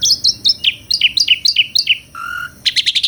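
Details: Asian pied starling (jalak suren) singing a repeated two-part chirp about eight times in steady rhythm, then one lower flat whistle, then a fast burst of harsh notes.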